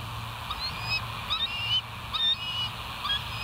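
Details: Live-cam bald eagle at West End, 08/01/2023, 05:18, calling with soft, thin, high whistled chips and short slurred notes, irregularly spaced, set against a steady low drone and hiss.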